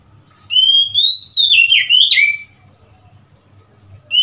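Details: ['Oriental magpie-robin, recorded 3 March 2021, sings one rich phrase of rising whistles, swooping, squeezed notes and a falling slur. A quiet pause follows, then a new whistle begins.']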